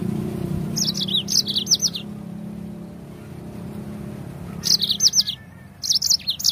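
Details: Yellow-fronted canary giving bright, high, rapid twittering phrases in three bursts, used as a lure recording to make other birds sing, with a low hum of distant traffic underneath.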